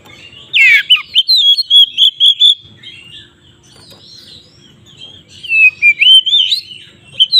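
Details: White-rumped shama song used as a fighting provocation: a harsh buzzy burst, then a quick run of whistled notes, a quiet stretch with low hum, and another varied whistled phrase at the end.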